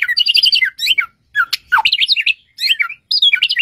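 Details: Great tit singing in a varied, energetic burst: quick repeated two-note phrases, sharp chips and slurred whistles in short bouts separated by brief pauses, close and loud.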